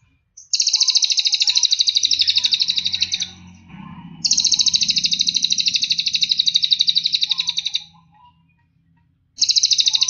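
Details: Cililin song used as a training recording to get other birds singing: long, very high, rapid buzzy trills, each lasting about three to four seconds with short pauses between them, over a low rumbling hum.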